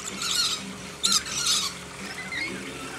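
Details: Lorikeets being hand-fed in a backyard give harsh, high screeches, with the loudest bursts around one second and one and a half seconds, over a faint steady hum.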